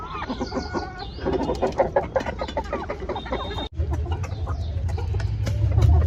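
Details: Domestic chickens giving busy, overlapping clucks and short calls, some with stacked tones, broken by a brief dropout midway, over a steady low rumble.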